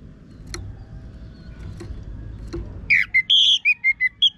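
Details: Orange-headed thrush song used as a lure to get birds singing: after quiet clicks, a sequence of about seven clear whistled notes at varying pitches, some short, some held, in steady succession.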